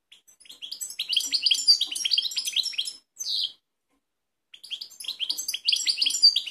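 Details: Balkanika goldfinch singing in Kumanovo, Macedonia, on 16 March 2018: dense, rapid twittering of high, tinkling notes and short trills, a brief pause, then another busy burst of chattering song.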